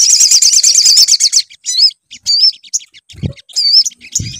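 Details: Sunbird lure song: a quick, even trill of looping high notes for about a second and a half, then scattered short whistled phrases and two dull low knocks.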